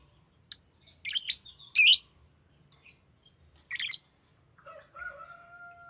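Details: Green lovebird giving a few high, twittering chirps in small clusters, separated by pauses, ending with a steady, faint double-toned whistle.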